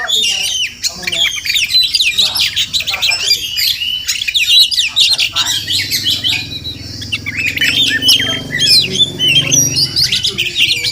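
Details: Oriental magpie-robin (Murai Kampung), a wild bird visiting a home each morning, sings a fast medley of piercing whistles and chattering notes, with a low hum growing in the second half.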